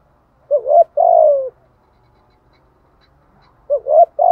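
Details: Spotted dove, thúc gù cooing with giọng thổ voice: a short upward note then a long smooth falling coo, a pause of two seconds, and the next phrase beginning at the end, faint low rumble behind.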